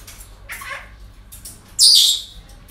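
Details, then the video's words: Parrot at a breeding centre on an ordinary day: a soft rasping note, then one loud, high, grating screech lasting well under a second over faint room noise. "Relajación Loros En El Centro De Cría"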